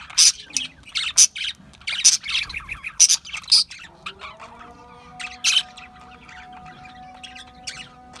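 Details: Australian budgies squawk loudly in harsh bursts roughly once a second, then drop to quieter, thin chirping chatter while a steady droning tone continues.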